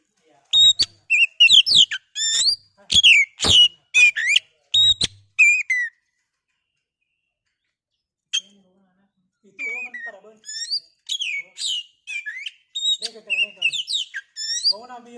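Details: Kacer song used as a lure so a bird becomes excited and sings: loud bursts of varied whistles and sharp chirps for six seconds, a long silence, then softer, lower warbled phrases returning.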